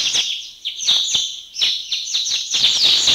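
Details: Mountain bulbuls, a flock of about 30 birds in Thailand, giving overlapping high chirps and short slurred notes in quick bursts, with brief gaps between clusters.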